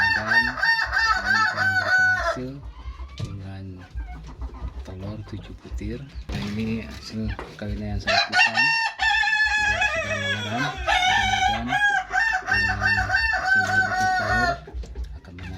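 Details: A Kokok Balenggek rooster, a West Sumatran breed kept for breeding, gives long, ringing crows that step through several drawn-out syllables.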